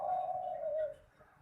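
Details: Spotted dove singing for song competitions: a single sustained, mellow coo that slowly descends before fading out, then near silence.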